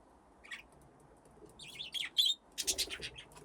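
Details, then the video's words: Budgerigars in an aviary with nest boxes, playing: scattered high chirps building into a dense burst of sharp, scratchy chatter near the end, with a soft rustle beneath. "Budgies playing in the aviary"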